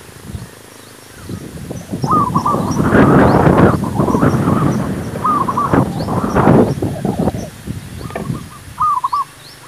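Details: Zebra dove song used to lure wild doves for trapping: short rolling coo phrases recur between loud rustling and handling noise, with a last pair of clear trilled phrases near the end.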